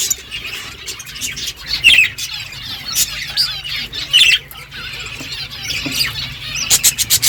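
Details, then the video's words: Several budgies chirp while eating, giving scattered high twitters and brief squeaky notes. Sharper louder chirps come around the second and fourth seconds, with frequent clicking and rustling between calls. "Beautiful budgies colour eating and chirping sounds"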